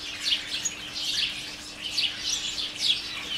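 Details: Chattering house sparrows of a garden colony in bushes by a kitchen door: dense, high, scratchy chirps tumbling over one another with small peaks every half second, a faint hum in the background.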